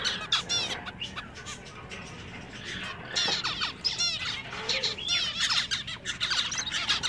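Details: Several male zebra finches sing over one another in a pet shop. Nasal, buzzy 'meep' notes and rapid harmonic chatter overlap in a steady, busy chorus.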